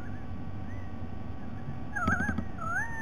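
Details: White-bellied sea eagle on 07 12 2020, soft faint notes followed by two louder wavering, nasal calls, the second rising and drawn out, against a steady low-pitched rumble.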